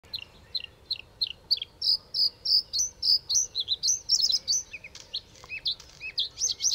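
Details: A Bluethroat (Luscinia svecica) sings in the early morning in the Netherlands: a fast, varied run of high ringing notes, starting with repeated chips and building into metallic trills and mimicked phrases.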